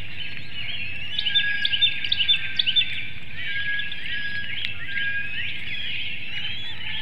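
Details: Female bald eagle at a webcam-monitored nest in Hanover, Pennsylvania, calling to her mate at dawn, 6:28 a.m. on 6 April 2019, while brooding a hatchling and egg. High, thin chirping notes come in a rapid burst of about eight, over steady background hiss.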